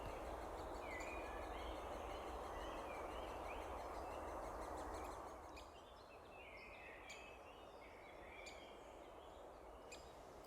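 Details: A young Great Spotted Woodpecker chick in Gloucestershire woodland in spring 2020 gives thin, high meeping begging calls, about four a second, over a loud steady rushing background noise.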